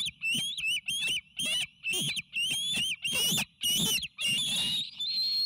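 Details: Bald eagle eaglets, triplets near fledging age at the Sauces nest, filmed by an eagle cam on May 29 2018, excited as a meal arrives. Loud, high, wavering whistled squeals repeat about twice a second, each with a zigzag pitch, over faint low rumble.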